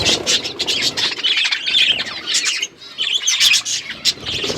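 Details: Budgies chirping as they eat food, busy high warbles and short whistled chirps with a brief quiet gap halfway through.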